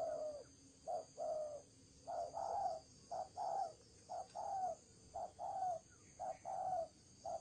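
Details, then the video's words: Spotted dove kept as a decoy bird, cooing in the thổ trần style: low, hoarse coos in short and drawn-out pairs, repeated roughly once a second with brief pauses, over a faint steady background hum. "Cu gáy mồi thổ trần"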